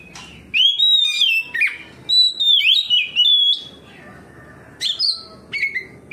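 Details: Oriental magpie-robin in open 'ngeplong' song, responding to another magpie-robin by pouring out its repertoire: rich, varied whistled phrases with rising and falling slurs, a pause, then more sharp whistles.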